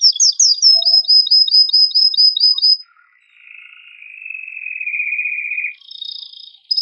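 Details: Forceful excited singing by a male canary to prompt canaries to breed; rapid descending high chirps repeated evenly, a quiet gap, then a long low rolling trill and a brief high buzz.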